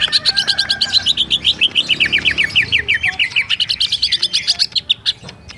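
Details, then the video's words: Fast rolling ngerol song from a greater green leafbird of Bali: an almost unbroken chain of quick, bright whistled notes that dips slightly in pitch midway, then fades into clicks at the close. "Cucak ijo ngerol"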